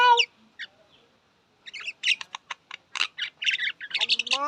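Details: Myna (shalik) starting with a nasal squawk, falling quiet, then bursting into fast, harsh clicking chatter that ends in a rising nasal whine.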